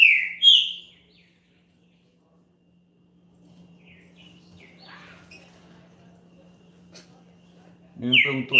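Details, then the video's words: A champion green-winged saltator, sung to warm up a kept bird: two bright slurred whistles at the start, then a quiet gap of several seconds with faint chirps. A loud burst of whistled notes returns at the end, and a low hum runs throughout. "ESQUENTE SEU TRINCA FERRO RÁPIDO NO CANTO DE UM CAMPEÃO"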